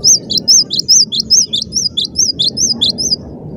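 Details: Cinereous tit in full, dense song: an unbroken run of high, quick paired whistled notes, one inverted-V note alternating with a lower slurred note, repeated briskly against a constant low background hum.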